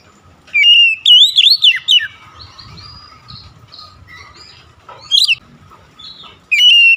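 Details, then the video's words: Oriental magpie-robin delivering a loud bout of twisting whistled notes, then quieter scratchy warbles, a brief sharp rising note, and the start of another clear whistle. "GACOR SEKALI MENDENGAR OCEHAN KACER INI"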